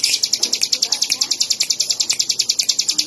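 A Bar-winged prinia sings a fast, even run of high, thin chirps, about seven or eight per second, over a quiet background.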